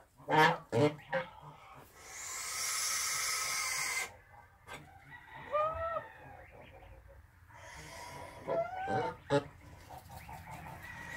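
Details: Russian Kholmogory geese guarding their young, with short, rising nasal honks in small bursts, mixed with human voices, a loud hiss of noise and sharp knocking sounds.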